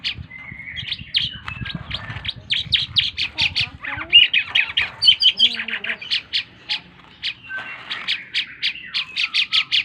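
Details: Energetic singing by a tame Asian pied starling: a long flat whistle opens, then a string of dry rasping notes, a brief downslurred whistle cluster, and quick repeated harsh chips to the end.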